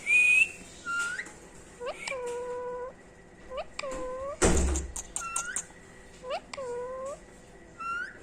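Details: Three-year-old female pet rose-ringed parakeet, an Indian green ring-necked parrot, talking and saying the word "Mitho". Short whistled, speech-like syllables with curving, bending tones come in bursts, with a loud thump or rustle midway and quiet indoor background.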